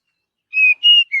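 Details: Forest-recorded Oriental magpie-robin giving three clear, pure whistles: two long steady notes, the second slightly higher, then a short lower note; no other sounds.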